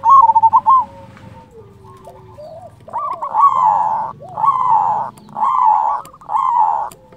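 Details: Local zebra dove with a big voice, used to lure and rouse rival doves: a brief rapid stutter of coos, then four long, drawn-out, slightly hoarse notes, each about a second, with short gaps.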